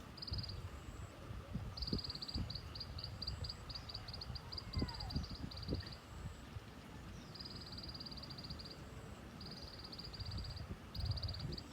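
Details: Repeated high, rapid chattering trills from a white-eye, 'tành tạch' style, several bursts in sequence with short gaps, over low rumbling noise and faint thuds.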